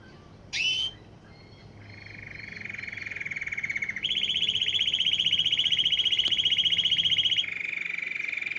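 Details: Canary song drawing many wild canaries and goldfinches: one brief sharp note, a pause, then a low rolling trill, a louder high pulsed trill, and a drop back to a lower trill, over faint hum.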